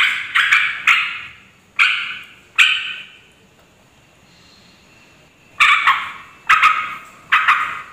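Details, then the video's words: Noisy calling of a sooty-headed bulbul, used as a lure to provoke rival bulbuls into replying: harsh, scratchy bursts in uneven groups of two or three, separated by a silent gap of almost three seconds. "Suara trucuk ribut pikat trucukan lain langsung emosi"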